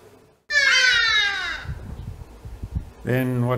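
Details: A Hadeda Ibis in a suburban garden in Nelspruit, northeastern South Africa, gives one loud, harsh, drawn-out call sliding downward over about a second, followed by a man talking and another brief nasal cry.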